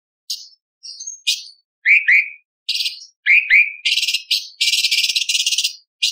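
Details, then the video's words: Light-vented bulbul singing a showy song with mimicked fillings of lovebird, parakeet, ciblek and pancawarna. Short clear whistled notes rise and slur, then give way to dense, harsh, buzzy chattering bursts, irregular and loud, in quiet surroundings. "CUCAK CUNGKOK ISTIMEWA - TEMBAKAN ISTIMEWA ISIAN LOVBIRD PARKIT CIBLEK PANCAWARNA"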